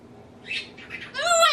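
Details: Male African grey parrot kept as a pet at home, imitating sneezes, laughter, burping and nose blowing; two short breathy bursts lead into a louder, harmonic, nasal squawking note that swells toward the close.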